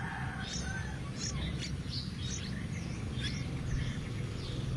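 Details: Yellow-vented bulbul at a wild nest while a parent feeds the chicks: thin, high chirps repeated in short bursts across the stretch, fairly faint over a steady low rumbling background.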